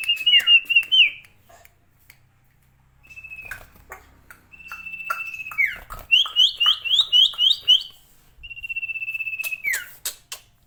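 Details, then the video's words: Sirtu singing energetically: level whistles dropping into downward slurs, a fast series of repeated rising chirps, then another long steady whistle ending in a fall, with scattered clicks. "burung sirtu gacor"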